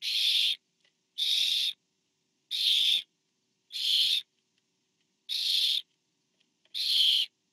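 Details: Barn owls on a nest camera, 24 September 2015, as a parent brings food to owlet four; six rasping, hiss-like shrieks in quick series, each about half a second, coming every 1.3 seconds or so, with small ticks between.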